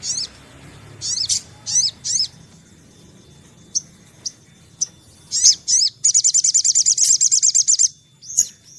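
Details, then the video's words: Sunbird song used to coax birds into singing: paired sharp high chirps spaced about half a second apart, a few thin chips, then a long very rapid high trill of about twenty bright notes. "PANCINGAN SOGON"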